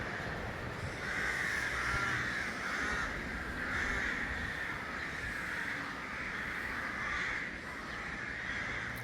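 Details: Thousands of crows or ravens calling at a nesting colony in a grove opposite a village on the route from León to Villadangos del Páramo, where they breed: a dense, continuous chorus of overlapping harsh caws that swells and fades.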